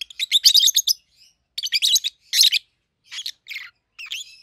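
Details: Peach-faced lovebird pair, home-bred, 7-8 months old, red-headed green opaline and red-faced dark green: a loud clustered burst of buzzy chirps, then shorter groups and a few thinner, falling notes.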